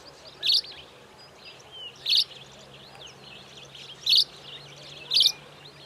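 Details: Cape sparrow uttering four short, burry chirps at uneven spacing over about five seconds, against a soft low hum.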